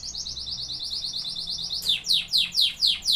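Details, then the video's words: Canary song from singing canaries: a fast run of evenly spaced high piping notes, then a change to louder, slower, sweeping downward notes repeated about five times in quick succession. "Singing canaries"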